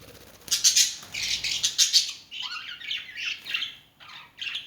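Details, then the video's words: Pet birds calling early in the morning: a dense burst of harsh, raspy high chatter for over a second, then looser scratchy squawks and chirps continuing irregularly to the end. "my lovely birds making noise early in the morning!"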